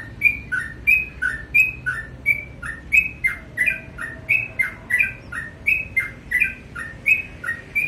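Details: Sooty-headed bulbul singing vigorously in the morning: short two-part phrases, a bright high note sliding into a lower slurred note, repeated steadily about every half second with little pause, over a faint low hum.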